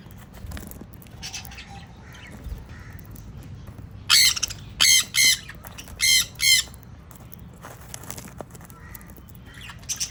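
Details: Breeding pair of sun conures: a burst of five loud, raspy screeches in two close groups, with faint softer chirps and light background noise before and after.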